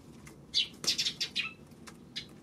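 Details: Sparrows recorded on 26 May: a quick cluster of sharp, bright chirps, five or six in about a second, then a few scattered single notes over a faint low background hum.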